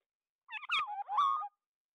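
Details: An oriole gives a flock-gathering call: one short phrase of liquid, fluting whistles slurring up and down over about a second, recorded clean without other noise.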